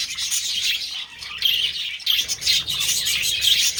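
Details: Budgies during mating give a quick run of shrill chirps and whistled squeaks over steady high chattering, quieter for a moment before picking up again.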